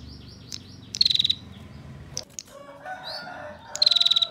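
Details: Female bar-winged prinia rattling its tight ngebren trill, kept as master song to train songbirds; two rapid, high ticking bursts at start and end, with scattered sharp chirps and a lower warbling call between.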